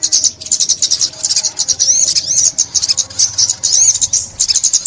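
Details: High-pitched sunbird song from Vietnam, recorded for 2021 bird trapping. Fast, almost continuous chittering and squeaky rising-falling whistles in short rushes, with no other clear sounds.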